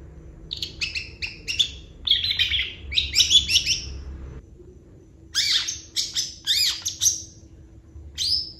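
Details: Cendet, or long-tailed shrike, in lively 'gacor' full-isian song: clusters of sharp high chirps and scratchy rasping notes, a long pause midway, then more rapid chirp series ending on a drawn-out whistle.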